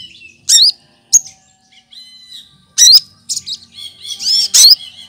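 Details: Cucak kinoy leafbird, a green songbird praised for imitating other species and used as a tutor, singing scattered high sweeping whistles and a longer rich warbled phrase near the end, with quiet gaps.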